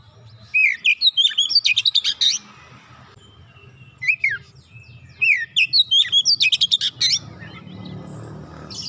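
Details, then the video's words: Oriental magpie-robin, or kacer, singing two long bouts of mixed whistles and rapid stuttering trills with a gap between, meant to make a stalled bird start singing; low rumble rises near the end. "kicauan indah memancing suara Kacer macet bunyi langsung gacor"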